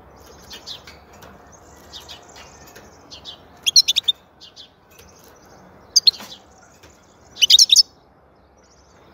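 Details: High, tinkling European goldfinch twitter: soft scattered notes at first, then louder clipped bursts, ending in a dense, buzzy-edged cluster of fast notes.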